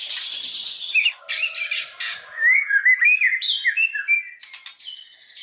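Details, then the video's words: White-rumped shama singing as a lure to excite other shamas: buzzy rattles followed by bright, rising whistled slurs and short warbled notes. "SUARA BURUNG MURAI BATU, PANCINGAN MURAI BATU BANGKITKAN EMOSI, AGAR BONGKAR MATERI"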